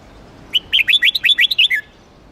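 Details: Vietnamese Huế red-whiskered bulbul in contest-song training, played to excite newly caught birds: a single fluent phrase of around nine bouncy whistled notes, each swooping up and down, finishing with a falling slur.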